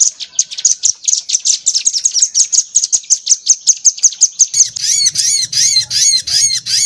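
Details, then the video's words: Crimson sunbird, rambatan-style tutor recording for training songbirds: a long steady string of high, sharp chirps about three per second, then harsher arched notes over a low hum. "MASTERAN SOGOK ONTONG MATERI RAMBATAN"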